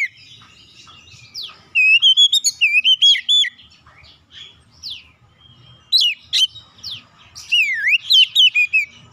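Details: Lure song of a magpie-robin, meant to make rival magpie-robins answer at once: quick series of high twisting whistles and slurred notes, a gap, then a dipping whistle and a final loud warbled flourish; faint low hum underneath.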